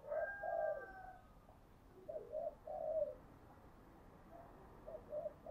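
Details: Spotted dove calling as a lure, its low coos repeated in short groups over a background hiss, with a faint thin whistle early on.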